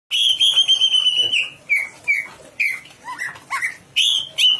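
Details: Greater green leafbird (cucak ijo), a bird readied for national song competition, singing loudly: a long sustained high whistle followed by a string of short clear whistled notes, some slurred up or down, at a quick uneven pace.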